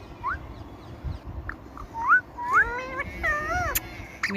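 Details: Indian ringneck parakeet, a talking parrot: soft rising notes give way to louder, harmonic, speech-like syllables that climb, then waver down and up over the final seconds.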